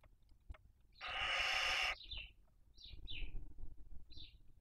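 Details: Barn owl at a nest with six chicks in Cabañeros National Park, the female feeding on the body of the smallest dead chick: one long harsh hissing screech lasting about a second, then a few short chirpy notes amid rustling and tearing noises.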